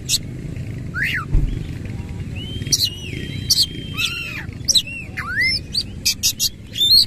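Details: White-rumped shama in strong song with rough, harsh phrases, tail spread: loud whistled notes swooping down and up, sharp high chips and rasping bursts, with a steady low hum underneath.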